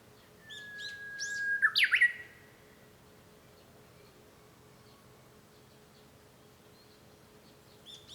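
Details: Japanese bush warbler singing, heard from inside a room at home on 5 May 2013: a long, level, steady whistle ending in a sudden loud twisting flourish, followed by quiet room ambience.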